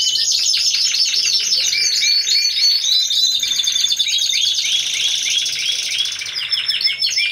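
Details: Competition Timbrado Español canaries, a team of four, judged in November 2015. A long, buzzy roll continues with lower clipped notes woven through it and breaks into scattered chirps near the end.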